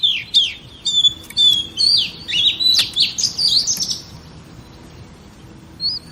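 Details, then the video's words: Female oriental magpie-robin singing to excite male birds: a varied string of clear, slurred high whistles and short chirps, fading into a quieter ending with one last soft whistle. "Chòe Than Mái Kích Trống"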